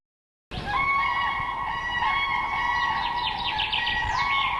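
Common Cranes call in steady, far-carrying trumpeting tones. Quicker chirping sweeps from other birds overlap in the later part.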